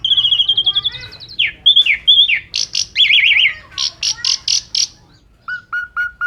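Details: Asian pied starling in vigorous song, a full filler-style song used as a lure to prompt other birds to sing. A rapid series of rising whistled notes and trills, then loud buzzy bursts, ending with short even whistles repeated about every quarter second.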